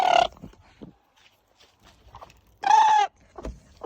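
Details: A chicken lets out a loud, harsh squawk, followed by soft scattered rustles and small noises, then a second long, strident, hoarse cry before quieter knocks.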